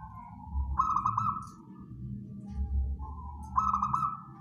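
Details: Cooing of a local wild zebra dove, used as a trapping lure. Two fluttering, trilled coo phrases come about three seconds apart, each starting with a soft lead-in note. A low droning rumble runs underneath.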